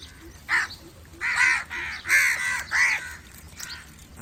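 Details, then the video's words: Crows calling to other crows: a run of six harsh, hoarse caws, each about a third of a second long. They come in an uneven rhythm, with the middle ones loudest, over quiet outdoor background. "Crow call to attract crows/Crow calling other crows/crow sounds part 3"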